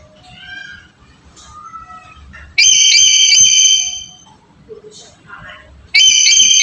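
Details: Black-capped lory lure call meant to stimulate a silent bird: faint chatter and voices at first, then two loud, sustained, shrill whistled calls, each about one to one and a half seconds long, separated by a few seconds.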